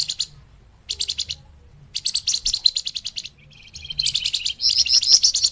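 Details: Lure song of the flamboyan, used to trap birds: short bursts of quick, high trilled chirps separated by silent gaps, ending in a longer, denser, buzzing chatter.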